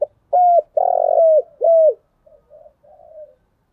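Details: Spotted dove used as a decoy for trapping, calling through its full repertoire of thúc, gù and gáy gọi styles: three loud, clear coos, the middle one longest and slightly falling, then softer, trailing murmured notes in a quiet setting.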